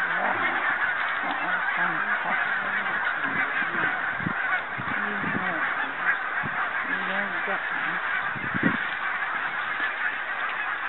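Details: Barnacle Geese filmed on Arran and Islay in 2009, a dense, continuous chorus of many overlapping yapping honks from a large flock, with a few lower, drawn-out calls standing out against the steady babble.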